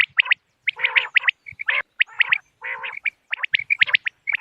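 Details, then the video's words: Common quail lure sound for hunting on moonlit nights: quick high clipped notes alternating with lower, nasal, rasping bursts, the pattern returning roughly every half second. "بٹیر کی آواز چاندنی رات کیلئے quail bird sounds for hunting common quail bird bater"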